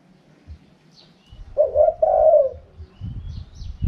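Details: Spotted dove delivers a wild-style cooing phrase, easy to follow: three quick low coos run into a longer hollow note, with rustling and bumping noises around it.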